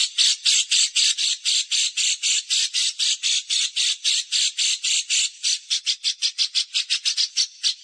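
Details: Harsh 'besetan kasar' chatter used to train caged songbirds for contests: loud, grating squawk-like notes repeated about twice a second, quickening toward the end, with no other sounds.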